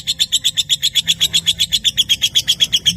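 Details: Lovebird singing its long ngekek trill, recorded as a master to encourage lazy young and adult birds: strongly regular, rapid shrill chattering notes, about four per second, over faint low hum.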